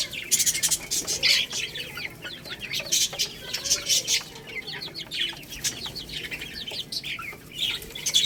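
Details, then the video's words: Several baby chicks eating rice, with a lively stream of high, downward-sweeping peeps in quick clusters and sharp clicking sounds. "Crazy Little Chicks Eating Rice | Cute Baby Chicken Chirping Sounds"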